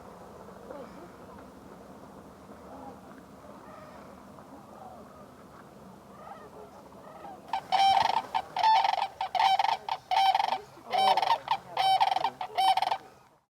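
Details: At Bosque del Apache National Wildlife Refuge, New Mexico, on a freezing December 2021 sunrise of about 19 degrees F, sandhill cranes call near the shore. A faint background chorus gives way to loud, repeated rolling trumpet calls about once a second.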